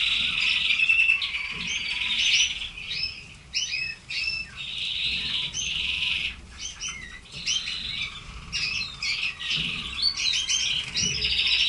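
A red canary sings a long, high, rapid stream of twittering trills and chirps, with brief rolling phrases running almost without pause.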